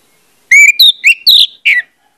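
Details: Orange-headed thrush lure song for making other birds sing openly: five loud whistled notes over about 1.3 seconds, alternating low steady tones with higher sliding ones, ending on a falling slur.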